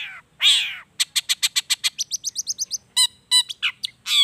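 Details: Long-tailed shrike lure song: a harsh burst, then a fast, even series of clicking notes that shift to rising chirps, followed by scratchy calls.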